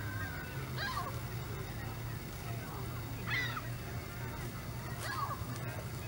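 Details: Canada geese at Hawreluk Park Lake: three drawn-out, slightly falling honks spaced about two seconds apart, set against a steady low hum and background noise.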